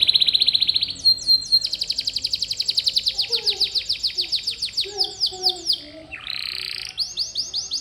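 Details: Canary song played as a training model for pet birds: a steady high trill, then a long rolling series of rapid pulses, a brief rising swoop, and a closing fast trill.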